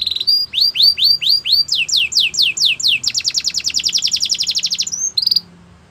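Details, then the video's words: A training song from a canary: slurred rising-then-falling whistles repeated steadily, a faster series of sweeps, then a long rapid roll and a few final notes. "The best canary sounds | Canary song for training"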